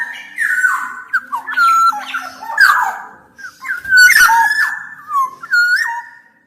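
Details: Black-naped oriole singing a lively mix of mellow fluting whistles and harsh nasal squawks, with phrases tumbling quickly one after another and ending in a few clear falling whistles.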